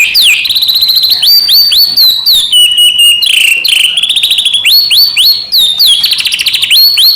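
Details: White-rumped shama song rich in filler phrases, meant to stir other shamas into singing. A continuous rapid run of high, piercing whistles and fast trills, with swooping and stuttering notes and no pause.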